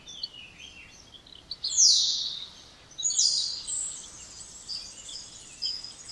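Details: Two sharp, loud whistles from a spotless starling, each dropping quickly in pitch, about a second apart. Quieter high warbling notes continue afterward.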